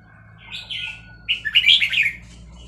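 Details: Red-whiskered bulbul of Vietnamese stock, caged, singing excitedly along to played chick calls; a soft warbled phrase rises into a loud, rapid cluster of rich chirping notes in fast-linked style.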